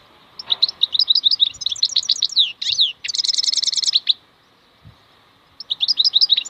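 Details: European goldfinch, a wild bird, delivering rapid chattering phrases of bright tinkling notes, then a steady rattling trill lasting about a second, a pause, and a fresh burst of twitters.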